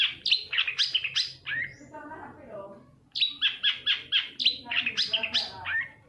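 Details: Long-tailed shrike song used as a lure to stimulate singing. Two loud runs of quick, squeaky chirps about four per second, split by a softer trailing pause, high and metallic in tone.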